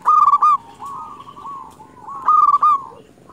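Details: Zebra dove of local stock, a lure for wild doves, gives two loud trilled cooing phrases of quick pulsing notes roughly two seconds apart, while quieter doves coo steadily behind it.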